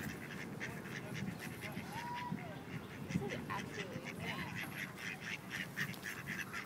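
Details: A group of rejected male ducks forcibly mating a female in Wilmington, NC: a busy run of quick, rasping quacks with several short whistled slurs mixed in and a rumbling background.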